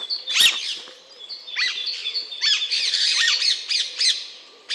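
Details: Alexandrine parakeet calling: a quick, uneven run of harsh, rising squawks and chattering notes that grow denser in the second half, over a thin, steady high ringing tone.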